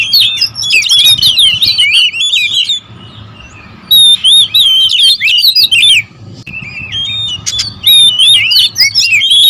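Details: Oriental magpie-robins in a noisy territorial exchange. Dense, overlapping whistled and chattering phrases pour out for nearly three seconds, go quiet for about a second, then return as rapid bright warbles with a faint steady hum underneath.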